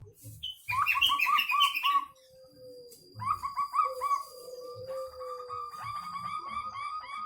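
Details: Local zebra dove with an unusual voice: bursts of rapid, pulsed mid-pitched notes run in quick series, with a smooth falling tone between bursts, scattered higher chirps, and a steady high electronic whine throughout.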